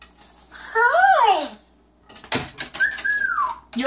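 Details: Pet yellow-naped amazon at home, producing a rising-and-falling whistled swoop, then clicks and a second arching whistle, amid a person's speech.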